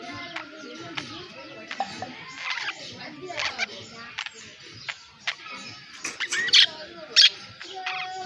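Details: Budgerigar (Melopsittacus undulatus), chatter calls.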